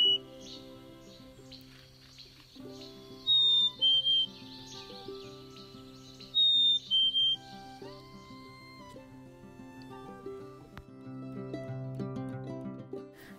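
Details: Two clear whistled fee-bee phrases, the spring mating call, from a Black-capped Chickadee in midwinter, each a higher note dropping to a lower one, about three seconds apart, over soft background music.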